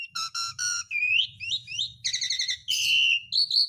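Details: Lure recording of Asian pied starling song meant to restart silent birds: three repeated stacked whistles, then upslurred whistles, a buzzy chattering burst and a long steady whistle near the end.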